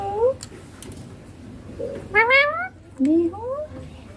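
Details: Indian ringneck chick mimicking human speech, papa and mummy in Hindi: a short faint syllable, then two louder, rising, voice-like utterances separated by about a second of quiet.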